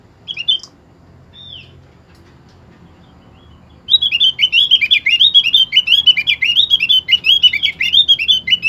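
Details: A Javan grey-throated white-eye of the opyor variety, recorded as a lure song to get other birds singing, gives two short high notes, then a long, fast, twittering warble of bright chirps that runs without pause to the end.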